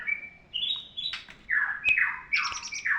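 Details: Squawky, varied notes from a long-tailed shrike used as a training tutor song: drawn-out nasal tones stepping upward, a falling harsh slur, then a cluster of sharp, high twittering notes.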